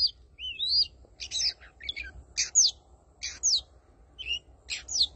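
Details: Oriental magpie-robin singing: a varied run of clear whistled notes, rising and falling slurs and short chattering bursts, given in phrases about half a second apart, over a low steady hum.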